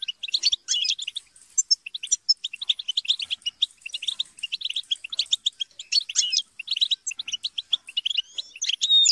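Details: Chattering, squabbling group of European goldfinches, meant to encourage singing; continuous busy twitter of sharp high notes and short buzzy trills, several birds calling over each other, a few upward-sweeping whistles near the end.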